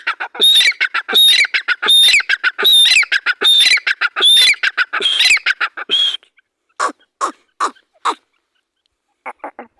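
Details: Grey francolin, a loud series of harsh, ringing notes with a high whistled tone, repeated rapidly about every half second, then breaking into scattered shorter rasping notes and a brief pause.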